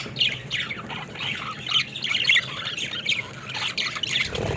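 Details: Budgerigars at play in their cage give a stream of scratchy chirps, twittering warbles and short squawks from several birds, ending with a soft low rustle.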